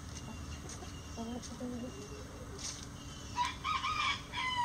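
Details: Before dawn as chickens leave the coop: quiet low clucks, then a rooster starts a bright, harmonic crow near the end, over steady background hum.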